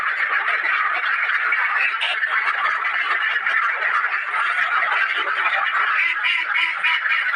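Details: A crowd of ducks in a cage giving loud, raspy quacks all at once; the calls pile into a constant chattering mass, with one sharper click early on.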